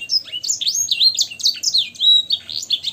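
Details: Canary, kept caged, singing vigorously in a training recording whose song is filled with blackthroat and sanger-style phrases: high, clear, rapidly changing whistled notes, sweeping slurs and short buzzy rolls running without pause.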